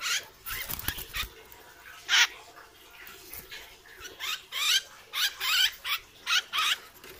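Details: Loud hair-crested drongo, a strong mimic of other birds, during training: an irregular run of harsh, rasping broadband bursts, some long and hissing, others short and clipped, about a dozen in seven seconds.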